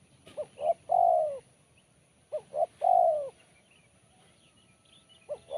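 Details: Spotted dove, BL Kuk 1 song with a sharp, crisp voice. Two complete phrases about two seconds apart, each two quick hoots then a long, drawn-out descending coo, then quiet and the start of another.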